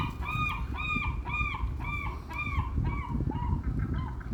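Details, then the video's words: Gulls, possibly fighting over food, give a rapid series of about nine harsh, nasal, arched calls, roughly two per second, over a steady low rumble of wind or surf. "SEAGULLS ARE FIGHTING FOR FOOD?"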